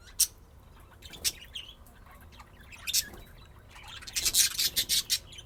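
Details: Budgerigars at play, pet birds in Austin, Texas, USA, giving scattered sharp ticks and chirps, then a dense run of rapid scratchy notes near the end.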